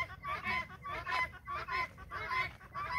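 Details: Several guineafowl moving with a hen on a farm, harsh rasping calls repeated in quick bursts against a busy background.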